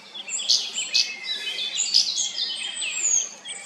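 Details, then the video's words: Song thrush singing quick, bright whistled and chirping notes with some short phrases repeated, over faint outdoor hiss; often sings hidden high in a tree behind branches. "zanglijster Turdus philomelos Song thrush"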